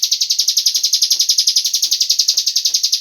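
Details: Lure sound of a cigun bird, played to make other birds sing along, a steady, rapid train of bright buzzy pulses, close to four per second, running without a break.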